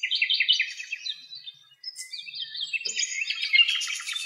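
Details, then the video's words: Common nightingale song recorded in Greece: rapid repeated chirping notes, a brief pause, then rich, varied warbled phrases with liquid trills, high-pitched and busy. "Αηδόνια Κελάηδημα"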